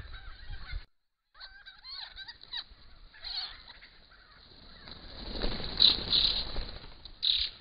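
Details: A large gathering of noisy friarbirds, or leathernecks, feeding in flowering Grey Box eucalypts in autumn 2015; busy overlapping raucous, honking and cackling notes, a brief gap, then a rising wash of loud squawks toward the end.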